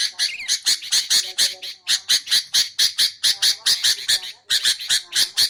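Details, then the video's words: Sooty-headed bulbul, used for luring its own kind and for training songbirds. Rasping, squawky notes repeated steadily at about two per second throughout, with faint lower tones between them. "BURUNG KUTILANG untuk ocehan mantab"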